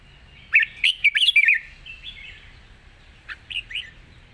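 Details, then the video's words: Red-whiskered bulbul delivering a wild-style song of long phrases: a fast cluster of five or six ringing warbled notes, a soft trailing whistle, then a brief second group of chirps. "เพลงป่าๆ สำนวนยาวปากเบา ฟังเพลิน#นกกรงหัวจุก"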